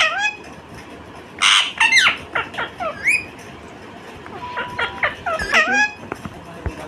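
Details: Indian ringneck parakeet giving a rapid run of harsh squawky bursts and bent, slurred chirps, a short pause, then more chirps and a brief flat whistled note before a few scattered clicks.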